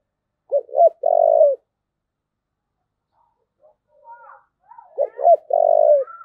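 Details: A spotted dove in thúc gù style delivers two coo phrases about four seconds apart, each a pair of short pulses then a sustained, even coo. Faint higher whistly sounds come before the second phrase.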